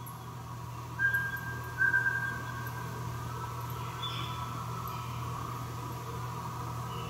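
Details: Mountain scops owl, Taiwan endemic subspecies, recorded at Meinong, Taiwan, on 3 September 2020: one pair of clear, level whistled notes, the second slightly longer, over a steady low hum and faint background hiss.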